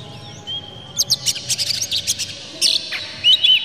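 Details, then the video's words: Oriental magpie-robin singing a provoking lure with its tail spread: a thin whistle opens, then a run of quick harsh clicks, ending in short rising whistled notes. "dijamin kacer langsung ngamuk2 dengar kacer ini bongkar emosi buka ekor ngobra full isian"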